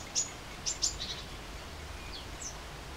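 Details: Great spotted woodpecker giving three sharp, short, high kik-like notes in the first second, two close together, followed by a few fainter, softer notes and a thin descending call over quiet, steady background noise.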